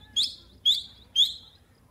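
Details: Grey francolin chick at play: three loud, sharp, high chirps spaced about half a second apart, each starting with a bright attack and trailing off slightly downward, over a quiet background.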